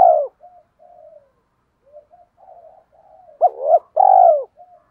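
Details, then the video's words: Spotted dove lure call from 2023: soft low coos at first, then loud arched hoots and a long drawn coo near the end. The background is quiet. "tiếng cu gáy kích bổi nhanh nổi kích bổi hiệu quả nhất 2023/ cu gay kich boi nhanh noi gù"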